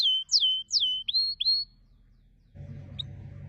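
A canary gives five clear, high whistled notes in under two seconds, three falling slurs then two rising ones, before a low hum and one faint final note.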